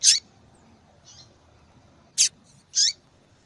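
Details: Calling female double-collared seedeater, used to warm up a cold male into song: a high buzzy note, a faint soft one, then a harsh chip and another buzzy call.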